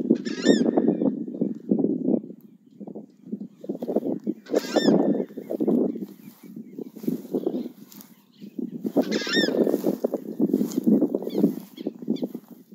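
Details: Southern screamer: long bouts of loud, low, coarse honking with brief lulls, punctuated three times by high, clear, ringing cries.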